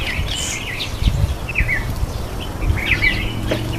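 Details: Red-faced mousebird at a birdbath calls with quick, high whistled notes in small clusters, some falling in pitch, against low background noise.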